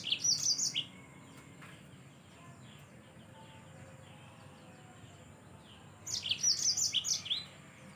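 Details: Yellow-fronted canary singing actively, recorded as a training tape for songbirds: a quick high chirping phrase at the start, five seconds of near silence, then another rapid two-second run of bright, jumping notes.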